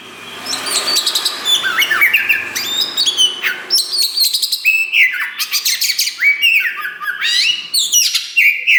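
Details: Kacer wulung (Oriental magpie-robin), a young bird just starting to spread its tail, singing loudly: rich varied whistles, rapid trills and buzzy notes sliding between high and mid pitch, delivered in continuous fast phrases.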